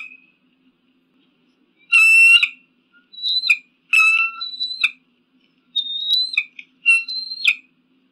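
An eagle gives shrill, rasping screams mixed with thin high whistles, in bursts about a second long with brief gaps; no other sounds.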